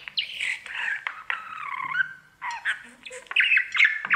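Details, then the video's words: Budgerigar kept as a pet, singing to its mirror: scratchy squawks and chirps mixed with a long, thin, wavering whistled note, then more chattering, slightly nasal phrases. "Budgie sounds | Cookie and his Mirror singing"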